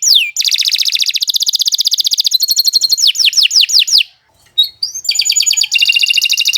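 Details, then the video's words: Canary in a long, fast song used to train other birds: a sliding whistle opens into dense rolling trills, a run of rapid downswept notes, a short pause, then more buzzy trills. "Kicau Burung Kenari 135 II LUAR BIASA GACOR PANJANG Cocok untuk Masteran"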